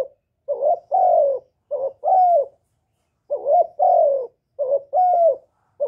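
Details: Lure spotted dove calling and cooing to stimulate newly kept birds, recorded clean and close: four low, mellow phrases, each a short coo followed by a longer falling coo, with a gap of about a second midway.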